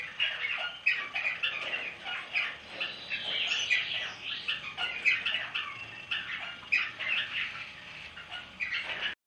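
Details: Crimson rosella, recorded in 2007, giving harsh, raspy squawks and chattering notes in quick irregular bursts that continue throughout, with a few sharper high screeches.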